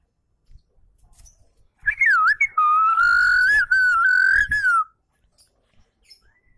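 Javan munia giving a thin, drawn-out whistle lasting about three seconds, wavering slightly and sliding down at the end, with soft clicks and knocks behind.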